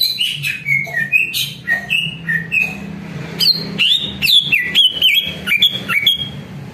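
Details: Greater green leafbird song offered as a lure so other leafbirds reply. Varied whistles come in quick succession, some falling and some jumping up sharply, with a brief lull midway before a lively, rapid second stretch.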